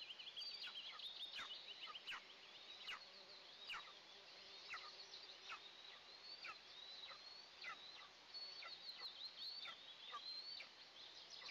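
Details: Nest camera on two Eastern imperial eagle eaglets during their first breakfast of the day, June 29, 2024. Dense, rapid series of shrill descending chirps and squeals, nearly continuous, with occasional clicks and background hiss.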